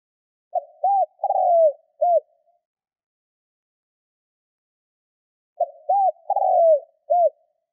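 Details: Lure spotted dove cooing for decoy training: two identical phrases five seconds apart, each a quick short coo, a rising rounded note, a longer hoarse falling coo and a clipped final note, with silence around them.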